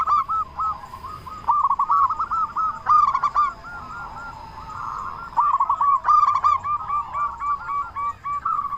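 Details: Local zebra dove with a loud voice, used as a lure to make other zebra doves sing sooner. Rolling, bubbling coos at a steady mid pitch run in bursts, overlapped by short sharp harmonic notes every one to two seconds.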